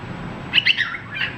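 A cockatiel gives a few short, bright chirps around two to four kilohertz-high pitch, quick and slightly warbled, over a quiet indoor background.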